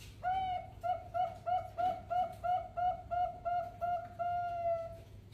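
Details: Zebra dove of the Bangkok type, a lure recording to prompt other zebra doves to sing: a rapid run of about ten hollow, rolling cooing notes, roughly two per second, ending in a longer drawn-out coo over a low steady hum.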